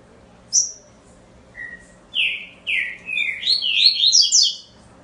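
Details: Double-collared seedeater singing: a high whistled note, a lower short whistle, then slurred descending notes and a fast rising jumble of high chirps over about five seconds in a quiet room.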